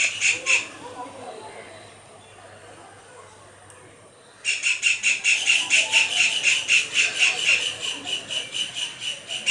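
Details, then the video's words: Kingfisher giving a fast series of harsh, high, buzzy notes, a couple at the start, then a steady rattling run after a short quiet gap, while calling and displaying. "Kingfisher Bird calls"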